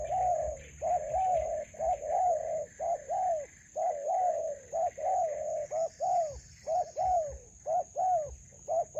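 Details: Spotted dove heard during trapping in a melaleuca garden with a decoy bird: a steady series of low, hollow, burry coos, each short, repeated about once a second, over a faint high electrical whine.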